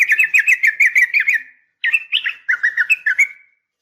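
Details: Female Sooty-headed bulbul calling to a male, a sharp fighting call meant to make other bulbuls answer: two bursts of fast, rattling chattered notes, each sliding and slightly descending, separated by a short pause, no other sounds.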